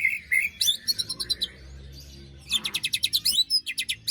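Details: White-rumped shama after moult, singing on a lure recording to restart silent birds: rapid, evenly repeated high chattering notes in two fast runs, each opened by a few whistles, with a brief lull between them.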